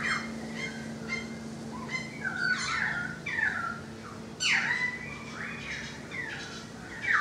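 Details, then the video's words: Currawong singing from a balcony, loud ringing whistled and slurred notes sweeping down from high to mid pitch, several phrases overlapping with a second caller, a steady low hum beneath. "The Currawong Song"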